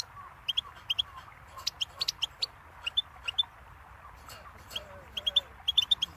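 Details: Goldfinch song from a tape for teaching chicks and songbirds: short bright chirps and twitters in loose bursts, with pauses between phrases over a soft low hum.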